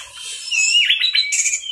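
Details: Teler-style masteran song of an orange-headed thrush: a short mix of a rising whistle, harsh squeaky notes and a high sharp trill.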